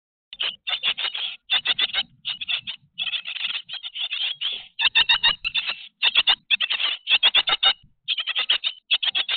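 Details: Grey tit calling noisily: dense bursts of short, scratchy chattering notes pouring out in rapid runs with only brief gaps, going on steadily for over nine seconds, no other sounds clear.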